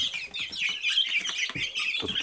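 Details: Silkie chicken chicks calling together: a dense chorus of high, thin peeping chirps overlapping continuously, with soft low knocks and rustling beneath.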